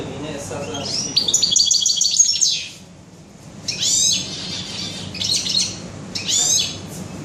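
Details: European goldfinch singing in a bird shop on 21 June 2015: a rolling high twittering phrase, a brief pause, then three short bursts of bright chirping notes.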